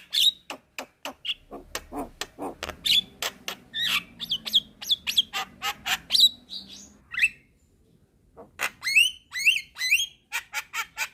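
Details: Javan myna, white-eyed form, used as a tutor recording for caged birds, sings hard: a rapid run of sharp clicking notes, a short silence, then rising whistled notes and chatter.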